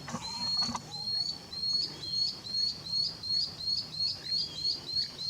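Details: Lanceolated monklet singing in natural habitat of humid tropical forest in Costa Rica: a long series of short high thin upslurred whistles, about three per second, steady and even, over faint forest background hum.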